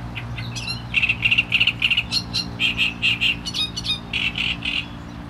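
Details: Great reed warbler song, loud and close: rasping, croaking phrases of repeated harsh syllables in quick grouped bursts, rhythm shifting between doubled and tripled notes, over a steady low engine-like hum.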